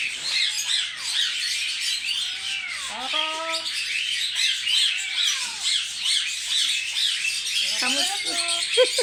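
Harsh, grating cockatoo screeches pour out nonstop in a rapid, uneven chatter, broken twice by short voice-like phrases.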